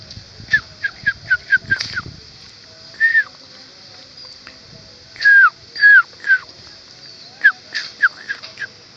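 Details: Yellow-vented bulbul calling actively near its nest: quick bubbly notes in bursts, then longer slurred down-sliding phrases, all mid-pitched; a steady high insect hiss runs underneath.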